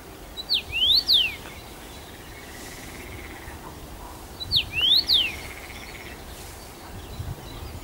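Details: Male Common rosefinch in its first summer, singing from a regular perch at Bazel, Belgium, June 2015: two whistled rising-falling phrases about four seconds apart, faint insect-like hum between.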